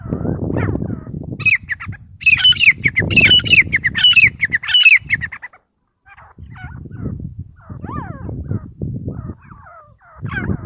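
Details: Partridges fighting: loud, harsh squawking notes rapidly repeated in bursts, mixed with scuffling and wing noise, then a pause and scattered sliding calls.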